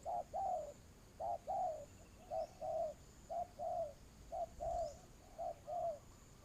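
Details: Spotted dove cooing during decoy trapping, a steady series of paired low coos, each a short note then a longer slightly falling one, roughly one pair per second.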